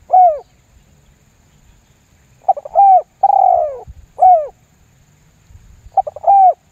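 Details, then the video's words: Spotted dove giving a lambung guk lure call meant to make other doves call. Clear mellow coos: one brief falling note, then stuttered notes leading into a level coo, a drawn-out sliding coo and another short drop. "SUARA PIKAT TERKUKUR LAMBUNG GUK MEMBUAT TEKUKUR LAIN IKUTAN GACOR"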